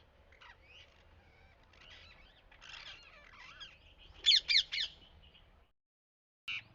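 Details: Parrots giving scattered squeaky calls and chatter, then a burst of three loud, harsh squawks in quick succession, a pause of silence, and one more short squawk at the end.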